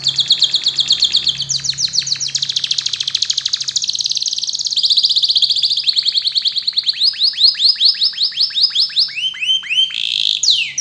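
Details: Canary song played as a tutor for young canaries: long, high rolling trills changing speed and pitch, then a series of sharp downslurred whistled notes and a closing rising sweep, over a faint low hum.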